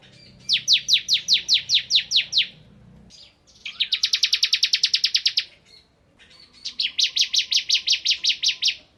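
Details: Three bursts of song from a ciblek kristal, or bar-winged prinia, in ngebren style: a slower run of ten down-slurred notes, then a very fast buzzing trill, then a bright series of quick repeated notes.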